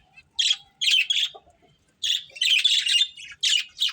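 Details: Budgerigar breeding pair chirping: short buzzy chirps, a brief silence, then a denser burst of chattering warbles and two final chirps.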